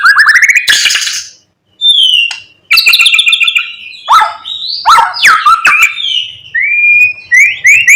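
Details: White-rumped shama delivering a mimicry-rich morning song to provoke other shamas: buzzy rapid trills, sharp chirps and rising slurred whistles, with brief gaps between bursts.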